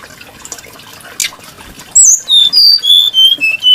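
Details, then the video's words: Brown-chested jungle flycatcher, known for its varied, melodious voice, begins after a quiet stretch of faint background hiss with clear high whistles, then a run of pure descending notes and short slurred phrases. "Burung srdc menarik Hati pendengar nya"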